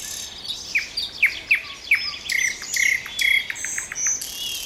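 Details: Common nightingale phrases: a string of downward-swooping notes followed by several short, level, repeated whistles, with high chirps of other birds behind.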